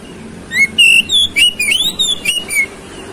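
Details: Oriental magpie-robin song used as a lure to provoke a quick, fierce fighting response: a two-second run of clear, varied whistled notes with rising and falling slides, loud and bright, over a faint low hum.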